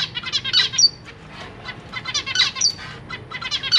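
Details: Captive zebra finch family with three juveniles and three newborn babies being fed by their parents; short buzzy high chirps in irregular clusters, some sharp nasal notes among them.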